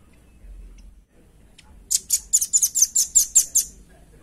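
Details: Velvet-fronted nuthatch, the call used as a lure and tutor for training other birds: a fast run of about ten sharp, high, clipped notes, roughly seven per second, after a faint quiet start.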